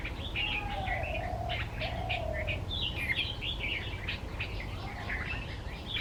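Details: A Red-vented bulbul sings from a bed of wildflowers in West Bengal, India: quick, bubbly chirps, short liquid phrases and a few lower drawn-out whistles, with other small birds chirping over a steady low rumble.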